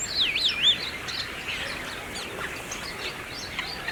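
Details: Brahminy starling (myna) song from India, Aurangabad area: a clear looping whistle that swoops down and up twice, followed by scattered chirps and chatter from surrounding birds.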